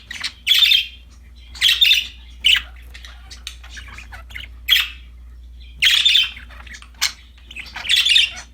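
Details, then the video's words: Happy budgies playing with a new toy chatter in loud scratchy chirp bursts, with softer clicks and twitters between them and a faint low hum underneath. "Happy budgies chirping for lonely birds, singing, playing with a new toy"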